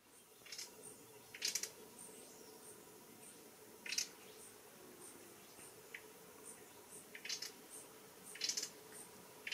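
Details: Grey-breasted wood wrens, more often heard than seen, give short, harsh, scratchy call notes, single or paired, every second or few seconds, on the continental divide in Palo Seco forest reserve, Panama. A faint high ticking and a low hum sit behind them.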